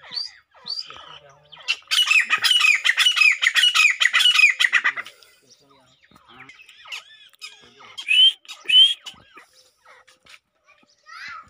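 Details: Male Grey francolin calling to show strength to a female: a loud run of rapid, grating high notes for about three seconds, then quieter scattered calls and a few sharp rising whistled notes.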